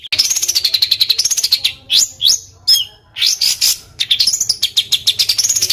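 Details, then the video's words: Bird song used as training material for competition songbirds, with dense rough rolls and harsh notes; fast repeated clicking trills interrupted by sharp rising whistled sweeps, then a return to the rapid rattling roll. "ROLL RAPAT KASARAN || TEMBAKAN Kasar Untuk BURUNG FIGHTER"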